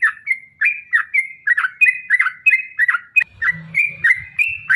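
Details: Yellow-vented bulbul in a long rapid 'ropel' song meant to provoke other bulbuls to sing: quick bubbly, slurred phrases about three per second, rising and falling, with a brief low rumble near the end.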